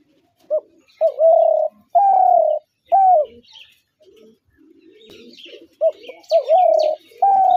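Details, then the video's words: Spotted dove calling: a series of clear, low, slightly wavering coos in short phrases, a few coos then a pause and another run, with faint chirps of other small birds in the background. "তিলা ঘুঘুর আরজিনাল ডাক"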